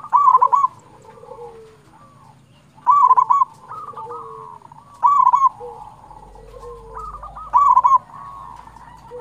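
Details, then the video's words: Local zebra dove song, used as a lure and to stir other zebra doves into singing: mellow trilled cooing phrases repeated about every two and a half seconds, each a rolling burst followed by softer drawn-out coos. "Perkutut lokal gacor Suara ini sangat disukai semua perkutut"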